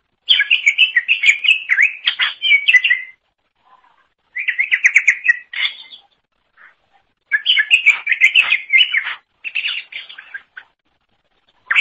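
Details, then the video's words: Cucak ijo, the green leafbird, singing vigorously, recorded for tutoring other songbirds: three bursts of fast, chattering, whistled phrases, each a few seconds long, separated by short silences, with a few sparse notes between them. "Kicauan Super Cucak Ijo Gacor Untuk Masteran"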